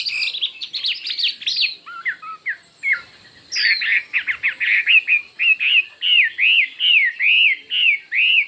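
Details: Competitive song of a Chinese hwamei, described as many-voiced and fiery: varied whistles and short chattering notes, then a steady run of loud arched whistled notes repeated about once per second.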